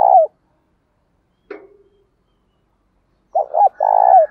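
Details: Spotted dove call used to provoke and train wild-caught doves: a low, mellow coo fragment, a soft click, then a three-part phrase of two quick hooked notes and a longer burry coo that falls at the end.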